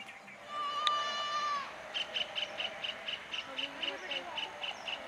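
Red avadavat: a drawn-out, slightly nasal whistle, then a quick run of thin, high notes, about five or six per second.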